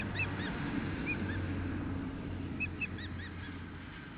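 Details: Osprey at a nest 2 km west of Nelson, British Columbia, during the first feeding at 4:08 pm on 12 June 2014; several short, arched, whistled chirps scattered across the clip over a steady low hum.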